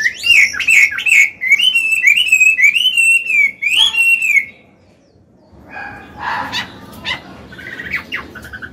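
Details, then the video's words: Chinese hwamei, an old bird singing in wild voice to train young birds and excite males; a flowing chain of wavering whistles for four seconds, followed by quieter, harsher scratchy notes. "Họa mi già giọng cực hay, luyện bổi, kích trống hót hay"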